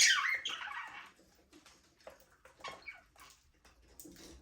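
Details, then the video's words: Chirping from budgerigars in a small aviary opens with a loud warbling burst, then trails off into softer scattered ticks and chatter. "Budgies parrot #chirping sound"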